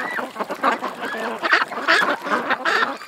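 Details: Ducks at a creek calling loudly with hoarse, nasal quacks, some stretched and slurred, coming in quick overlapping bursts.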